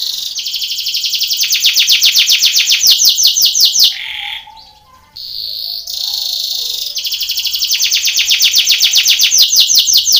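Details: Belgian canary singing a training song for contests: long bursts of fast repeated trilled notes around a brief pause with short buzzy and lower notes.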